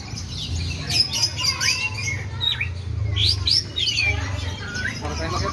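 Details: White-rumped shama giving mimicked sooty-headed bulbul notes, looping whistled slurs rising and falling among rapid high clicks and chatter, over a loud low hum and faint voices.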